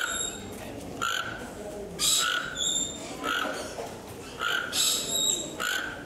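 A toco toucan gives harsh, rasping croaks, about one a second, over a steady background hiss with a few thin high whistles.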